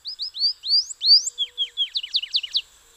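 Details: Morelet's seedeater singing a bright, high series: rising whistled slurs speeding up, then short falling notes, ending in quick steep downslurred chips. Quiet background.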